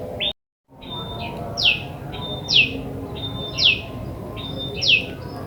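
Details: Ashy tailorbird recorded in the wild as a lure for trapping birds: a short steady high whistle followed by a sharp downward-sweeping note, the pair repeated about once a second over a low rustling background.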